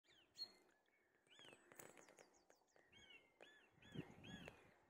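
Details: A song thrush singing from the top of a tree in a UK garden gives bright, varied whistled phrases, ending with one short arched note repeated three times, against a low rumble of background noise.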